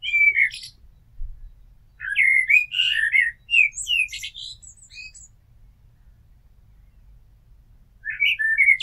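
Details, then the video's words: A common blackbird sings mellow, varied fluting phrases mixed with scratchy high twitters, a long pause, then a new phrase begins. "Amsel Gesang - Merle Noir Chant - Blackbird Song - Mirlo Cantando"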